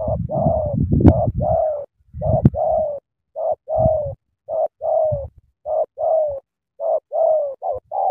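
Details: Spotted dove, an energetic cooer: a run of mellow paired coos, short then long and slightly falling, spaced about a second apart, with low thuds at the start.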